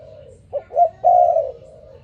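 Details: In the morning, a spotted dove gives two short, rising, hiccup-like notes followed by a long, loud, even coo that fades into softer cooing.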